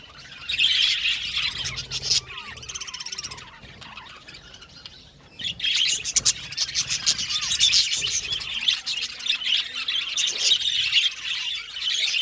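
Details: Aviary colony of budgerigars giving a busy overlapping chatter of chirps, warbles and rapid ticking notes, with a brief lull midway before the chorus swells again.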